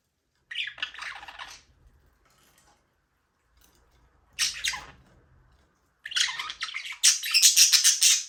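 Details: Aviary budgerigars (Australian parrots) at play give short bursts of harsh, bright chirping separated by silences. The final seconds bring a rapid, high, rattling chatter.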